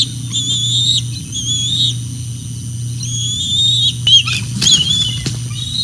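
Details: Juvenile bald eagle back at the Decorah North nest area on a nest camera, 11 June 2024 around 9:07 pm: high, thin whistled notes held about a second each, ending in a short stuttering burst, over a steady low electrical hum.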